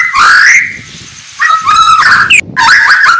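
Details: White-rumped shama in the morning giving short, slurred whistled phrases separated by brief pauses, then a sharp high note and a quick final warble.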